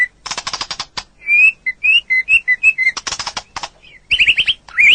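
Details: White-rumped shama singing on an Indonesian training (masteran) recording: rattling trills alternate with clear, steady mid-pitched whistles and quick rising, warbled whistled phrases toward the end.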